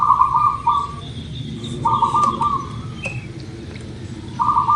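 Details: Zebra dove of local Indonesian stock, a lure to get birds calling quickly: three trilled, stuttering coo bursts about every two seconds, with faint higher chirps of other birds.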